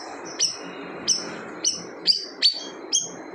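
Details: Siri-siri bird singing gacor, a fierce song said to make other birds go quiet: six spaced, piercing high notes over a fairly loud broadband background hiss.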